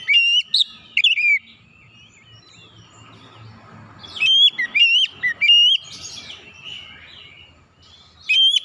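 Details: Oriental magpie-robin (kacer) song used as therapy to get untrained birds singing loudly: loud whistled notes in bursts near the start, then a cluster of sharp rising whistles around the middle, quieter warbling twitter between.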